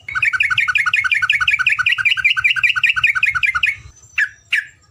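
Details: Yellow-vented bulbul tutor recording in the ropelan panjang style: a steady, rapid chain of repeated two-part bubbling notes for nearly four seconds, ending with two separate harsh downslurred calls.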